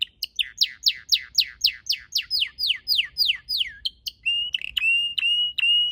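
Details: Red canary song recorded in a garden with purple azaleas: a run of about fourteen clear downward-slurred notes, then sharp chips and a sustained, finely trilled whistle.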